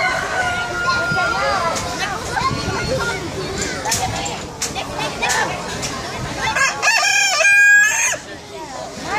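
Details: Rooster at the Bronx Zoo crowing, its harmonic crow rising and wavering near the end, over a steady background of children's voices and crowd babble.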